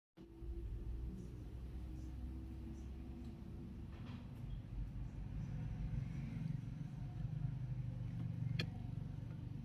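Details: Deep rumbling traffic noise that swells gradually, with a few faint knocks and no animal voice.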